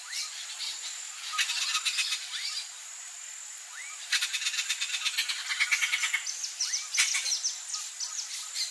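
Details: Turquoise-fronted amazon chick, wild, begging as its mother feeds it: trains of fast, raspy, regularly pulsed notes, the longest lasting about two seconds, over a constant high insect drone and scattered short bird whistles.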